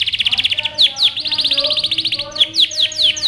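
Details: Canary in training song: fast repeated whistled notes, a few sharp descending sweeps, another rapid run, then spaced sweeping notes, with soft lower tones in the background.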